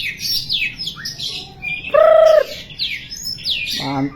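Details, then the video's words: White-rumped shama song of quick high chirps and sweeping notes, then one loud steady whistle lasting about half a second, followed by a buzzy rattling phrase. "Murai batu"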